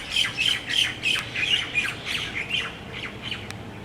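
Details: Roosting tropical birds on Maui, Central Pacific, sing at dusk among exotic trees and palms: quick, bright chirps and squawks repeated several times a second, loudest at the start, then thinning out.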